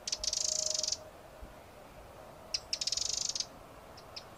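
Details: A few sharp ticks lead into a long, fast, high rattle from a Eurasian wren; after a pause the ticks and rattle repeat, followed by two soft clicks.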